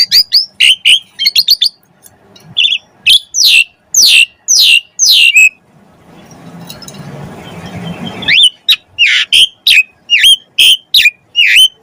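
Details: Vigorous Asian pied starling song used to prompt other starlings to sing: quick sequences of loud piercing whistled downslurs and chips, broken by a few seconds of low noise before the rapid whistling resumes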